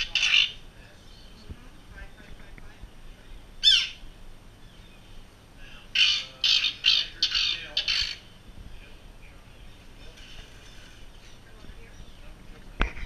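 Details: Nesting common terns on Great Gull Island during adult trapping at nests: loud, rasping single calls, then a quick series of five harsh calls, all above a quiet hiss of distant colony noise.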